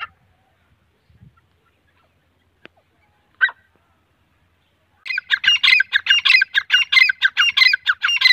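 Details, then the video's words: Grey francolin, male and female: after a few seconds of near silence with faint clicks and one short squawk, a fast rhythmic series of harsh, grating notes begins and continues about ninety times a minute. "Grey Francolin voice"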